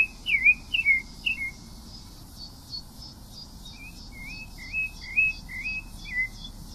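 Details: Song of the pale-breasted thrush, opening with a few loud looping whistled notes, then a quieter run of short, wavering whistles strung together at a quick, uneven pace.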